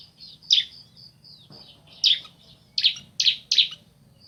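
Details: Male and female bar-winged prinias calling back and forth. Bright, high, scratchy notes come singly at first, then in a quick run of three, with thin whistled tones between them and a low background hum.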